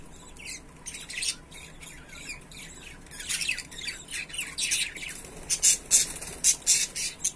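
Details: Pet budgerigars chatter with harsh, scratchy squawks and chirps, growing louder and busier toward the end.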